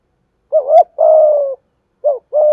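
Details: Cooing of a spotted dove kept as a lure to excite other doves, thổ voice style: a rolling two-part opening note and a drawn-out steady coo, then the phrase starts again before cutting off.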